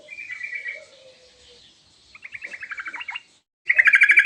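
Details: Yellow-vented bulbul calling song to get birds to respond: a brief chirpy phrase and faint low whistle, then a series of quick descending chirps and a sudden loud burst of rapid notes.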